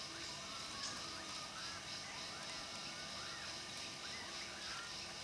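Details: Malayan partridge in a Malaysian rainforest giving soft, arching whistles that rise and fall in quick overlapping series, half-buried under a steady hiss of rainforest insects.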